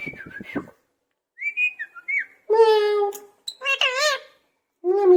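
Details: Parrot in a cage mimicking a cat's voice: low clicking, a few whistled slides, then long wavering meow-like calls with a rich nasal tone, the last one cut short.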